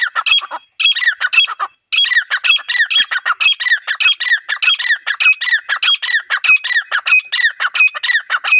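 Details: Female grey francolin, wild, calling as a lure for trapping: dense run of harsh, squeaky, rapidly repeated notes after a brief opening burst, continuing steadily with little pause and no other clear sounds.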